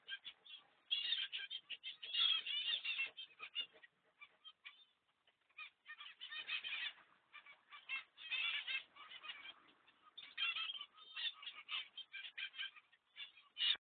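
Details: A baby zebra finch that fell out of its nest box and is exploring outside gives bursts of harsh, buzzy, rapidly repeated chattering calls.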